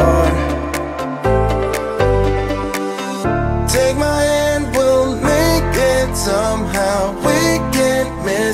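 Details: Only music is heard, a pop-style song with a steady beat, sustained instrumental chords and a singing voice, with no animal sounds.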